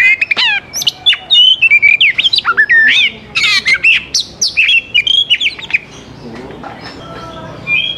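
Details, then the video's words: An Oriental magpie-robin, used as a lure song to make other magpie-robins sing, gives a loud, fast run of clear whistles, rising and falling slurs and sharp chirps, phrase after phrase with brief pauses. "KACER MANA YANG TIDAK IKUT GACOR DENGAN PANCINGAN KACER INI"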